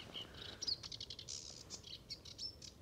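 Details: Newly arrived male sedge warbler singing fanatically from a reed bed in the Nieuwe Dordtse Biesbosch to claim territory, with two to four males there answering each other: a fast, scratchy, chattering jumble of harsh buzzes, chirps and thin whistles.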